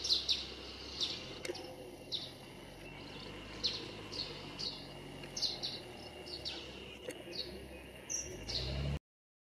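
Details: Russet sparrow singing from a roadside tree in Nikko Yumoto hot-spring town, Japan, with common sparrows also present: a string of bright, high chirps, about one a second, over a steady low hum.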